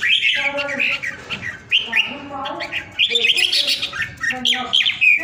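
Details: Home-kept red-whiskered bulbul from Vietnam, well cared for and singing with great power: loud, clear whistled phrases in quick succession, each a rising-falling slur with chattering bursts, repeated several times a second.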